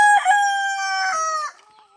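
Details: One of three roosters crowing to communicate with each other and their hens; a loud, strongly harmonic, held crow that stays level, then drops slightly and fades out, followed by near silence.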